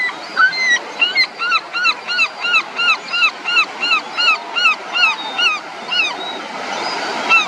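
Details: On Zandvoort Beach, Netherlands, a parent gull feeding its chick gives a long series of loud, yelping kyow notes, each rising then falling, about three per second, over steady surf.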